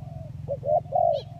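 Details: Lure recording of a spotted dove of the 'kacuk' or 'kampung' type giving a brief phrase of three rounded coos, the last the longest and loudest, with a steady low hum beneath.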